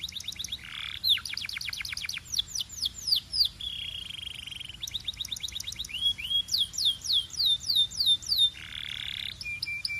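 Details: Canary song mixing rapid rattling trills, a drawn-out buzzy note, and series of clear downslurred whistles, closing with another buzzy phrase and short level pips.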